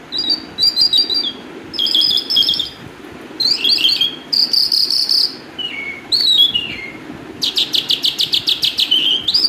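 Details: Calandra lark singing a loud, varied song of high, buzzy phrases and slurred descending notes, separated by short pauses, ending in a fast rattling trill of rapidly repeated notes; quiet background.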